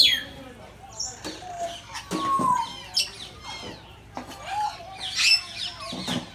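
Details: Birds in Bangabandhu Sheikh Mujib Safari Park, Gazipur, Bangladesh, calling one after another: sharp clicks, a long falling whistle, and bursts of high squeaky chatter spaced a second or so apart.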